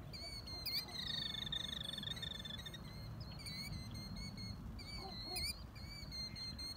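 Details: Killdeer (Charadrius vociferus) parents doing a broken-wing display near their chicks at Whalon Lake, Naperville, Illinois, USA, on 1 May 2020, give a long, rapid, high trill, then sharp, rising piping notes, over a steady low rumble.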